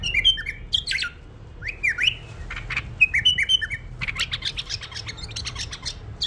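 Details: A tame bulbul gives short whistled phrases of swooping notes separated by pauses, with loud clicking and rustling bursts in between.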